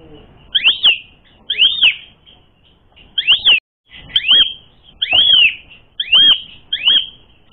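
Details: Asian pied starling singing to provoke fighting; loud arched whistled notes given singly or in pairs about once a second with short silent gaps between.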